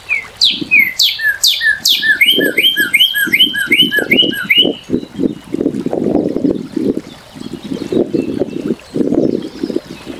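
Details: Northern cardinal giving loud down-slurred whistles followed by a quick series of repeated slurred notes, while a low rumbling engine-like noise grows and dominates the second half.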